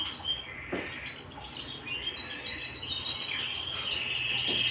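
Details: Canary singing at home, delivering a long rapid series of repeated high chirped notes, roughly three per second, followed by a bright sustained whistle and a quick trill.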